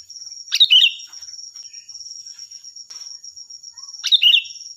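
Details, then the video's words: Loud sooty-headed bulbul song intended as a training model for other birds: two short, liquid, bubbling phrases separated by a quiet spell of faint chirps, all over a constant high-pitched tone. "Suara burung Kutilang Gacor || Nyaring dan keras cocok untuk masteran"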